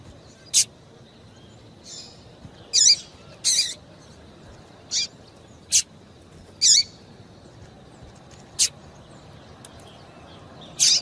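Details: A female Yellow-bellied Seedeater calling, used to stimulate males to sing, gives short, high, sharp chip notes, about nine in eleven seconds, spaced irregularly against a soft background hiss.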